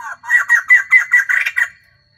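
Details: Female white-crested laughingthrush kept as a caged lure bird to provoke males, singing all day: a quick run of about eight loud, harsh, cackling notes in steady rhythm, then fading out.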